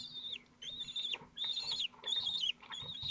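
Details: Falcon chicks aged twelve days at Théding, 22 June 2023, trying one after another to eat a large prey. Loud, high, downslurred squeals are repeated about every half second with brief pauses between them.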